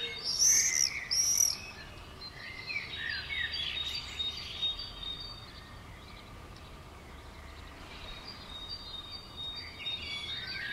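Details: Common swifts called 'bangers', flying at and around a house on 5 June 2011: two loud, piercing high screams in quick succession, then fainter harsh screams drifting in and out over quiet hiss.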